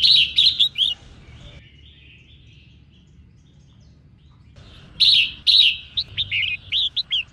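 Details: Female red-whiskered bulbul singing to excite males: rapid chirpy, warbling notes in an opening burst, then a long lull, then a second lively run of quick whistled notes.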